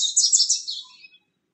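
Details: Bewick's wren carrying nesting material into a nest box; one brief, fast burst of high, scratchy chatter lasting about a second, tailing off.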